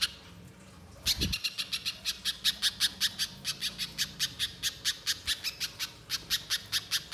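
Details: Spiderhunter used as a lure to get another bird singing: after a second of quiet, a long run of sharp, harsh chip notes repeats rapidly and evenly to the end, with a brief low thump at the start.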